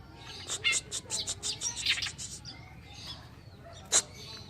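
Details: Tutor (masteran) song of the Oriental reed warbler, kerakbasi alis putih: a quick run of about a dozen harsh, grating chirps over two seconds, then a pause and one sharp loud note.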